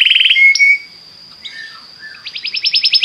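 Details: Belgian canary song for encouraging other canaries to sing: a short loud trill and held whistle, a quiet pause with soft low notes, then a quickening series of rising pulsed notes.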